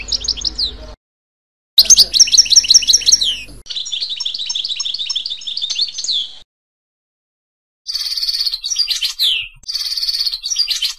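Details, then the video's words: Goldfinch song sorties in several bursts separated by silent gaps, mixing fast trilled runs, liquid twittering and sharp rising and falling high chirps, with short breaks between phrases. "Les sorties chant chardonneret تعلم لغة الحسون الدرس الاول"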